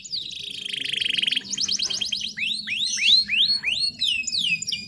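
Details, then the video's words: Female canary recording used to lure and stimulate males, with added material from another songbird: a fast buzzy trill, then a run of repeated notes, then loud sweeping upslurred whistles about three per second. "PANCINGAN KENARI BAHAN FULL ISIAN SUPER ISTIMEWA"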